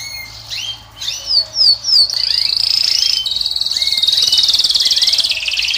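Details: Moroccan European goldfinch singing to attract a female: sharp rising and falling whistled notes in the first two seconds, then a long, fast, even trill held high, with a brief low whistle near the end.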